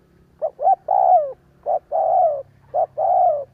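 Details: Spotted dove lure call used to stimulate decoy doves to coo: three phrases, each two short notes followed by a long, drawn-out coo that falls at the end, about a second apart, over a low steady hum.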